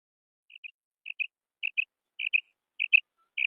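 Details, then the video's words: Female quail calling, locally called kirak: crisp, high, paired chip notes, each pair about half a second apart and repeated steadily over a few seconds, against a silent background. "Best Female Quail Sound / Mada batair ki kirak"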